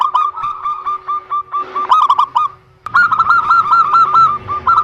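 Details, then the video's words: Zebra dove song used to coax reluctant birds into singing: quick chains of bright, arched cooing notes repeated in fast bursts, two runs split by a short pause, over a constant low hum and faint low rumble. "Terapi Perkutut MaLas Bunyi_Rutinkan Pancingan Ini Pagi Siang Sore"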